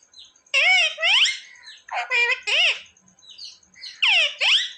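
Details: Pet parrot that speaks words like mummy and papa; loud paired bursts of nasal, speech-like calls with rising and falling bends, separated by quieter pauses, over a faint steady high hum.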